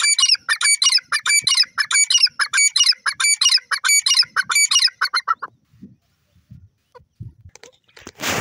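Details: Francolin giving a loud series of grating, repeated note groups for about five seconds, then quiet with a few soft knocks and a closing burst of noise.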